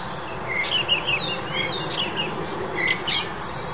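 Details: Red-whiskered bulbul (Pycnonotus jocosus), February 2021, giving short, bright chirping notes in loose bursts over a steady background hiss with a faint high insect-like drone.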